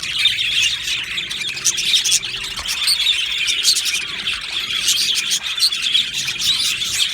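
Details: Many budgerigars in an aviary colony, 15 July 2025, keep up a steady, bright chorus of overlapping chirps and twittering warbles, with sharp squeaky notes standing out now and then.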